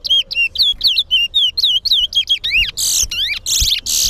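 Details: A chestnut-bellied seed finch (towa towa) at a bird singing competition at Guyana National Stadium sings a fast run of sweet, slurred whistles, about four a second, ending in harsher buzzy, rising notes.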